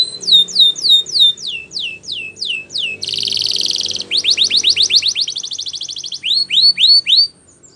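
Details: Training song of a Spanish Timbrado canary: looping falling whistles, a dense buzzing roll, quick sliding notes and a tight trill, then slow, clear upswept whistles before the song stops.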